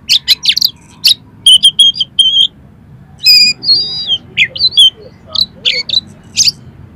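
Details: Oriental magpie-robin belting out varied, rough song material to rouse a rival: dense runs of sharp chips, clear whistled notes and buzzy trills in rapid irregular bursts, with one longer scratchy phrase midway.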